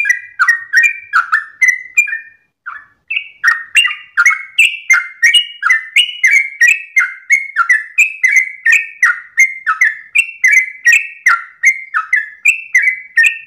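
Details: Yellow-vented bulbul delivering a long rapid 'ropel' song at dawn, steady chattering whistled phrases of short slurred notes, one brief gap near the start, then a continuous run.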